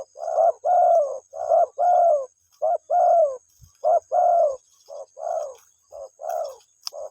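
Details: A spotted dove calls to its mate with a run of low, mellow coos, short notes alternating with longer drawn ones at an even pace, over a faint steady high-pitched hum.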